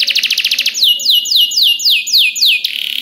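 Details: Canary song intended for training other canaries: a rapid pulsed trill, then a series of repeated descending slurred whistles about four per second, ending in a short buzzy roll.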